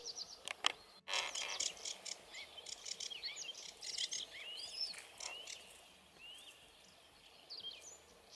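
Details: A Sedge Warbler sings from a giant reedbed by a lake in Bory Tucholskie, Poland, over the early-May long weekend: a fast, scratchy chatter of dry churrs and rising and falling whistles, busiest early, fading later.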